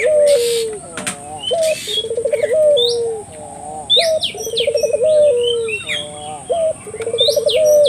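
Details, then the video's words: Vigorous turtle dove calling as a lure for local doves: deep, quavering coos and rolling trills repeated roughly every two and a half seconds, accompanied by frequent bright chirps and whistles from other birds. "suara burung puter gacor,merangsang buru puter lokal ikut gacor"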